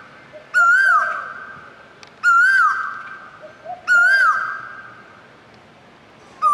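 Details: Koel repeating a bright whistled note roughly every one and a half seconds, three full notes and the start of a fourth, each slightly wavering, with soft low notes and reverberation between them.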